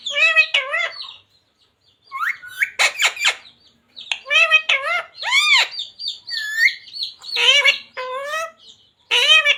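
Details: Talking green ring-necked parrot chanting Radhe Radhe and Sita Ram in quick bursts of voice-like syllables and arched whistled notes, repeated with brief silences between phrases.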